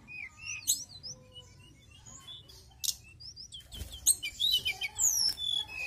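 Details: Mountain tailorbird singing vigorously, soft scattered high whistles building into a busy, louder sequence of slurred whistled notes and chirps.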